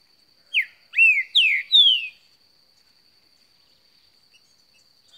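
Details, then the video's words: A newly acquired Green-winged saltator, recorded in 2018, sings a short phrase of four rich, sliding whistles, the first ones dropping and the last falling smoothly, over a thin steady hiss. "Trinca ferro cantando muito"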